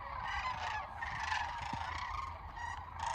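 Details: Kearney, Nebraska, March 28, 2022: a large gathering of sandhill cranes giving loud, rolling, trumpet-like calls in a constant overlapping chorus, with some wind rumble.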